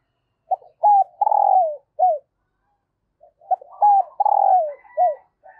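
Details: Female dove calling to excite males, giving two matching phrases about three seconds apart. Each has short clipped notes, a long loud coo falling at the end, and a final hooked note.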